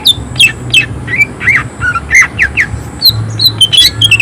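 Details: Greater green leafbird (cucak ijo) singing lively, harsh 'tembakan' phrases with high emotion. Quick bright whistles twist up and down, some sliding downward, densely packed at several per second, with a low background hum throughout.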